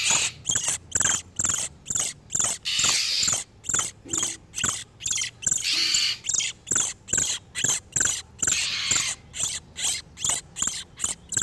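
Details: Male and female oriental magpie-robins in breeding condition, as a trapping lure for wild birds: fast, repeated scratchy high pulses about two per second, with occasional longer noisy rasping phrases.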